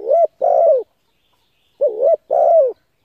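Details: Spotted dove cooing, used to lure and stimulate decoy birds: two phrases, each a short wavering low note then a longer, mellow, slightly falling coo, with a pause of about a second between them. The background is quiet.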